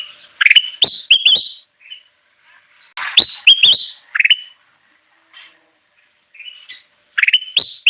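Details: Golden bulbul singing energetically, used to lure wild birds: short bursts of rich fluty, bubbling notes with sharp clicks, repeated phrases separated by brief pauses.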